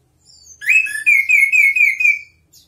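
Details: Chestnut-capped thrush in lively song, used as a tutor recording for other birds: a short, bright warbled phrase of rapid, slightly wavering whistles lasting under two seconds, over a quiet background.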